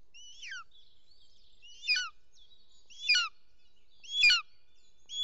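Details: Bonelli's eagle at the nest in Els Ports, Catalonia, 16 June 2023, as the male brings a small snake to the female: sharp, descending, slurred high calls repeated roughly every second, with a faint thin tone between them.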